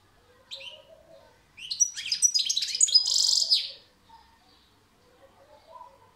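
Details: European goldfinch singing a rapid, high twittering phrase: after a single chirp it runs into a fast series of tinkling notes, ending in a short, dense buzzy trill.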